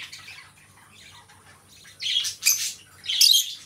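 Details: Two companion lovebirds indoors, quiet low chatter giving way to three sharp, shrill squawking bursts in quick succession.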